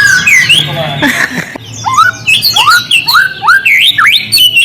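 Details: Provocation song of the white-rumped shama: a harsh burst followed by a series of separate upward-sweeping whistles, about two per second, loud and clear over a low hum.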